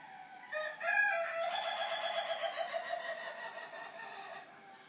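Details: Chicken crowing at 3:50 in the morning, a single long harsh crow that rises sharply to full strength, then holds with a rough harmonic drawl and slowly fades over about four seconds.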